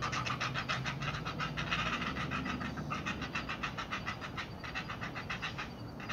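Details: Two great blue heron chicks in the nest begging as the parent arrives with food, a fast rhythmic series of harsh panting clacks, about three per second, steady throughout over faint background hiss.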